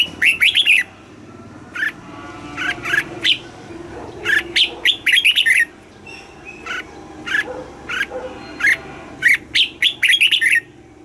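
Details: Red-whiskered bulbul kept caged in Thailand, giving southern master-style song meant to stimulate caged birds and teach young birds: clear chirpy whistled phrases repeated about every two to three seconds with short gaps.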